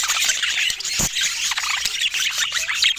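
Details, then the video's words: Several budgerigars calling as they feed: thick, nonstop twittering and squeaking, high and scratchy, with a sharp click near the middle. "Budgie Nutrition Basics with Sweet Sounds and Feeding Joy"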